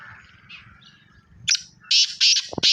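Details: Black francolin calling: one sharp note, then a quick sequence of loud, rasping, buzzy syllables, over a low rumbling background.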